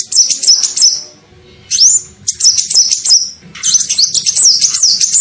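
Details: Sunbird, locally called kolibri ninja, in a lure call used to attract birds: shrill, high twittering bursts with quick upslurred whistles, broken by short pauses.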